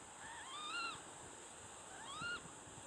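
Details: Water rail heard from dense waterside vegetation in the Peizermaden, November 2012; two strange, cat-like whining squeals that rise and then drop, about one and a half seconds apart, against a constant hiss.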